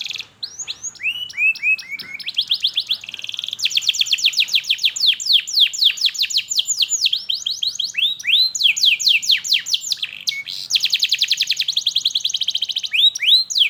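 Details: Canary pouring out a long, energetic teaching song for young canaries and silent birds: varied high trills, descending sweeps and rattles, changing rhythm often over fourteen seconds with barely a break.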